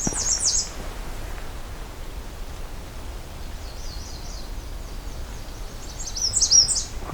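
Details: A male American Redstart on a forest trail at Pine Tree Harbour in the breeding season gives two short, very high, thin phrases of quick notes, one at the start and one at the end, fainter notes between, over steady outdoor hiss.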